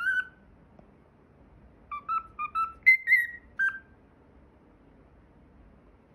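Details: Whistling a fragment of the PythagoraSwitch theme tune, a caged cockatiel gives one long note, a pause, then a quick run of about eight clean, short whistles rising to a higher pair before ending on a falling note; silence follows.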